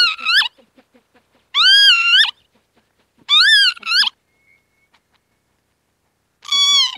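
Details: Northern lapwing (Vanellus vanellus) giving four wheezy, harmonic-rich calls, each about half a second long, swooping up then down, spaced irregularly over several seconds against a quiet, still background.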